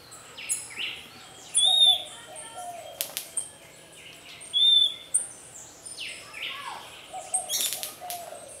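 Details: Nest-defending Puerto Rican flycatcher chasing off a pearly-eyed thrasher, which preys on eggs and chicks. Two clean arched whistles stand out among rustling wing noise, clicks and sharp bursts from the scuffle.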